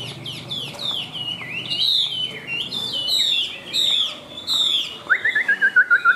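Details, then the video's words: A caged Chinese hwamei with white wings and white tail, a strong high singer, pours out fluid, swooping whistled phrases, finishing with a quick descending trill of short repeated notes. "Họa Mi Cánh Trắng Đuôi Trắng - Hót Cao"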